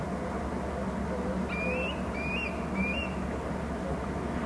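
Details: Bald eagles at their nest territory on Hornby Island, picked up by a nest camera: three faint, thin, rising squealed whistles, heard while the eagles fly about, set against a steady loud background hiss and rumble.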